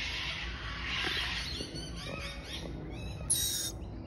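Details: Baby lorikeet chirping: a run of harsh, raspy, broadband begging-like notes, some rapid and stuttering, with a sharp high squeak near the end over low background rumble.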